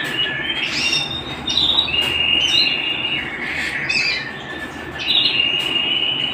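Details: Canary song at home, made of sliding whistled phrases that rise and fall. Sustained tones alternate with sharp, clicky bursts, and a long level note closes the clip.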